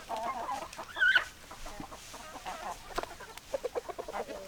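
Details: Domestic chickens clucking, one bird giving a loud, sharp, wavering call near the start, followed by softer mid-pitched clucks and a run of short, evenly spaced pecking-like notes at the end.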